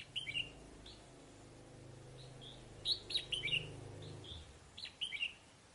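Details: Red-whiskered bulbul decoy, caged and almost through its moult, in northern Vietnam, singing brief clear whistled phrases in separated bursts against a low rumbling hum.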